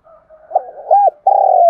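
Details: Brief, close cooing from a decoy spotted dove used as a trapping lure: soft low murmurs, a rounded coo, then a long purring note that trails downward.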